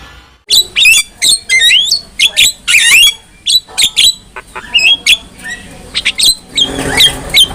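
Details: Javan myna (jalak kebo) singing a tutor song meant to make other mynas answer: a rapid run of sharp whistled notes and harsh squawks, some sliding up and down, ending in a noisy rasping chatter.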